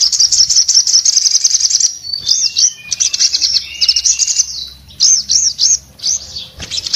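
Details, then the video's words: Orange-headed thrush in breeding condition singing hard: rapid trilled chatter high in pitch, then looping whistled slurs and buzzy phrases that rise and fall, with short gaps between bursts. "sogon gacor nembak buka paruh bikin SOGON lainnya jadi bunyi"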